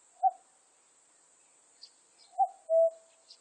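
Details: Common cuckoo from a 2020 recording. A lone higher note is followed after a pause by a full cu-coo, a sharp upper note then a held lower one. Faint high chirps of other birds and an insect hiss fill the background.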